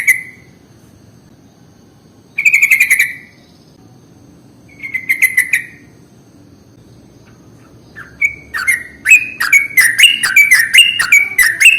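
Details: Sooty-headed bulbul lure recording: three separate buzzy chattering bursts, then a lively run of varied rising and falling chirps and short whistled notes that grows busier toward the end.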